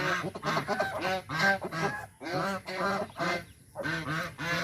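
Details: A group of angry white domestic geese guarding their ground calls in steady, repeated nasal honks, each a short harmonic blast, about one every second or so, overlapping into a noisy chorus.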